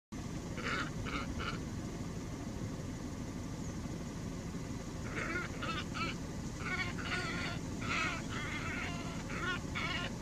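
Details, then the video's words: Glossy ibis recorded at Alykes Kitros, Pieria, Greece, 'singing': bursts of harsh, nasal grunting notes in short clusters, a pause, then a longer run of rough croaks, over steady broadband background noise. "Ευρασιατική Χαλκόκοτα - Plegadis falcinellus "singing""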